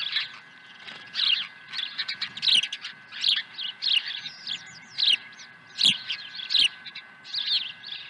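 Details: Osprey at the nest on 23 April 2020 after a second fish arrives; piercing chirps repeated about once a second, some rising and falling, over low background rumble and hum.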